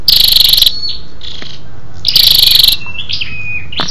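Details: Female scarlet-backed flowerpecker giving a lure call to excite males: rapid high ticking trills in two bursts under a second each, with thin whistled notes between, over a low background hum.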